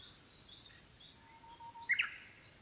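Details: Japanese bush warbler singing after rain on 19 May 2020. A faint, level whistle is followed by a brief, sharper flourish near the end. Soft high-pitched chirps from other birds and a steady low hiss are in the background.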